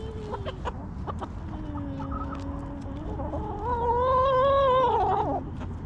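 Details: Backyard hens in their coop, clucking and relaxing: soft tonal notes and clicks, then a loud drawn-out harmonic call that rises, holds for about two seconds and drops away, over a steady low hum.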